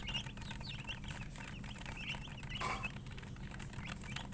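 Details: Coloured hen chickens (murgi) with chicks: scattered high peeping chirps, less dense, mixed with a brief rustling noise burst midway and a steady low hum.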